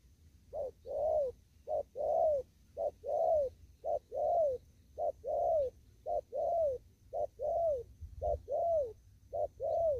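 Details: A spotted dove out in an upland field coos steadily in the 'đồng thúc gù' style: about nine evenly spaced pairs of a brief coo and a longer falling coo, each about a second apart, over a faint low hum.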